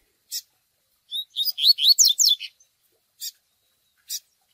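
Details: Double-collared seedeater singing in the TUI TUI style for training young birds, with chick begging calls. A single rasping peep is followed by a rapid burst of high, downward-slurred whistles. Three spaced, harsh peeps trail after it.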